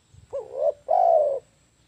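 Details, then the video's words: Spotted dove call used as a lure for trapping birds: a single phrase of a short rising coo followed at once by a longer, even, mellow coo, with no other sounds. "SUARA AMPUH TEKUKUR PIKAT"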